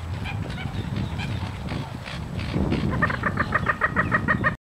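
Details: American coots, two pairs fighting and kicking at each other on a Florida park lake in March, give a fast run of short, nasal, clucking notes, about five per second, near the end, over steady low splashing and rumble.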